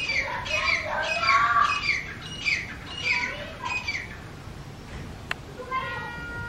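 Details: Two wild grey francolins (Francolinus pondicerianus), male and female, give loud territorial calls in their territory: harsh, squawking notes about four a second for four seconds, then fading; a sharp click and a faint tonal sound follow.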